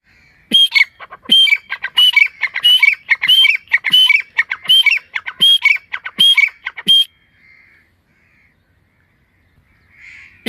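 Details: Partridge (teetar) calling in a forest: loud, harsh, ringing phrases, each opening on a high clear note and dropping lower, repeated about every 0.7 seconds for seven seconds, then near silence with faint distant notes.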